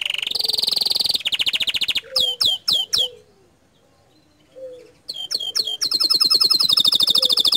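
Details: Canary delivering gacor dor song: rapid ringing trills, a few separated downward-swept chips, a short quiet break, then another fast high trill.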